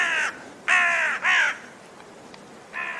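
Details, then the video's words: Raven giving four harsh, hoarse croaks, each about half a second long, with short pauses between them against a quiet background. "Raben Geräusche - Raben Sound"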